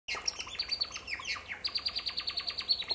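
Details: A male African silverbill sings a high, tinkling run of short descending notes, then a fast, even series of bright chips at about six per second.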